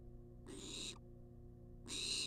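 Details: Two harsh, hissing screeches about a second apart from a food-begging wild barn owl in a nest box, each roughly half a second long, with constant low hum.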